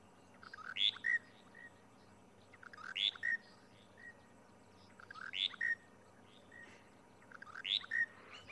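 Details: Monotonous Lark at Djuma private game reserve, South Africa, 23 January 2020, repeating a short, bright phrase of a few squeaky, whistled notes about every two and a half seconds, nonstop; it calls continuously and stops only when flying.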